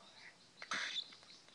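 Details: Young cinnamon white-faced cockatiel, believed to be male, still making baby sounds: one short raspy, hissing burst lasting about a third of a second, framed by faint softer chirps, in a quiet indoor setting.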